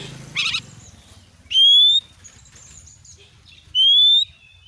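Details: Kacer, the Oriental magpie-robin, in a lure recording for prompting kept birds to sing: two pure, slightly rising whistles about two seconds apart, with a brief buzzy note before them.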